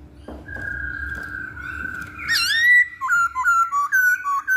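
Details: Masked laughingthrush song used as a lure to get other birds singing: one long steady whistle that lifts into a sharp upslurred note, then a run of short clear whistled phrases stepping up and down.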